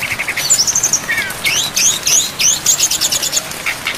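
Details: Brown-chested jungle flycatcher on a training track for songbirds with many fill-in phrases over rain: quick trilled notes and looping whistled figures, repeated about three times a second, rain hissing throughout.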